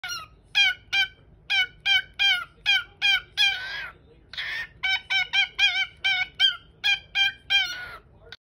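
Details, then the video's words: A pet cockatiel, seemingly unsure about traveling, gives a rapid run of short, harmonic chirps, about three a second, broken by a couple of harsher, raspy squawks. "Little parrot is unsure about traveling"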